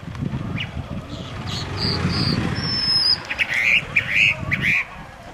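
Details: Chalk-browed mockingbird song: a few thin, high drawn-out whistles, then a quick string of four or five loud chirpy notes, with a low rumbling background.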